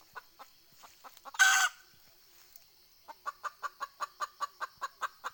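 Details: Decoy hen red junglefowl used to lure wild fowl, dated 20 April 2020, giving a cackling call: scattered soft clucks, one loud harsh squawk, then a fast even run of clucks about five per second.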